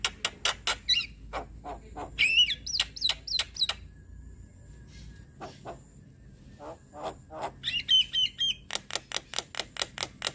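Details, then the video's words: Lure song of a white-eyed Javan myna for young birds: quick series of dry rasping clicks alternating with brief bent whistles, a softer gap mid-way, then another fast run of regular pulses. "Suara Pancingan Burung Jalak Kebo Muda Biar Cepat GAcor - Jalak Kebo Mata Putih Gacor"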